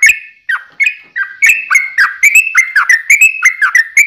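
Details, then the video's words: Sooty-headed bulbul long 'ropel' song, recorded as a fighting lure to provoke singing; slower whistled notes at first, then speeding into a continuous bubbling run. "trucukan ropel panjang TARUNG PANCINGAN TRUCUKAN agar bunyi"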